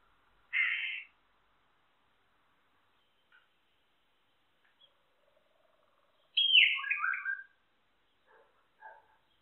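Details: Solitary cacique giving a harsh raspy squawk, then after a pause a longer grating, descending scratchy phrase, with faint soft notes in the background.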